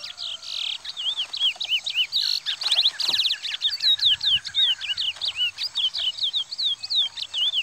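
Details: Two curiós, a Parazão singer and a pardo, clash in a fierce singing fight. Dense run of sweet whistled notes, many rising-and-falling slurs repeated in quick succession, loud and continuous, with a brief rattly flurry near the middle.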